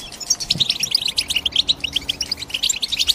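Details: Short burst of European goldfinch chirping: fast, sparkling high notes strung together in a lively twitter, each note a quick liquid tweet, with a faint low thump near the start.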